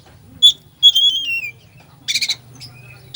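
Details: Oriental magpie-robin 'full isian' song meant to rouse a lazy bird: a drawn-out clear whistle falling in pitch, then a short harsh rattling burst and a faint whistle.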